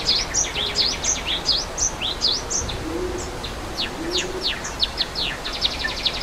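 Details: Java sparrow calling outdoors beside a waterfall: quick high V-shaped chirps in a rapid run, then scattered sharp descending notes, with soft low cooing from another bird and steady rushing water beneath.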